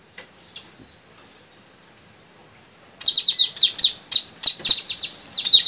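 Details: Three newly caught male puling birds being trained to sing vigorously: nearly three seconds of near silence with two isolated high chirps, then a burst of rapid, sharp, high-pitched chirping notes, roughly eight in quick succession, continuing to the end.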